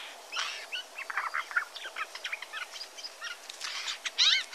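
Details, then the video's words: Adult Eurasian jay giving a rambling, varied song: quick clicks, short slurred whistles and scratchy notes run together almost without pause, ending in a louder rasp. "chant du geai des chênes"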